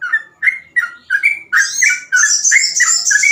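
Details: Sooty-headed bulbul singing fast 'ropel' song as a training model: quick whistled up-and-down slurs, joined midway by a loud, high, buzzy chattering bird that continues to the end.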